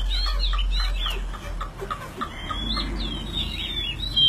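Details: Chinese hwamei kept in a cage, tame and a strong fighter, giving clear whistled song phrases, wavering and slurred, against heavy low rumble and scattered tapping sounds.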